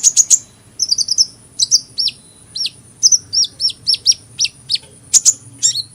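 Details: Bright, high sunbird song of crisp chirps and short down-slurred whistled notes repeated in quick succession, a steady twittering rhythm with a few louder sharp ticks.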